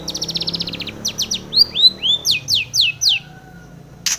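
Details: Female long-tailed shrike used as a morning lure for caged birds: a fast buzzy rattle, then a series of slurred rising and falling whistled notes, ending with a short sharp note.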